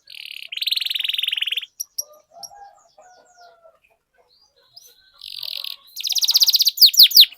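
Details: Canary lure song used to encourage other canaries to sing and roll: a buzzy sustained trill opens, a quiet gap with faint low sounds follows, then rapid trills and sharp downslurred notes close the passage.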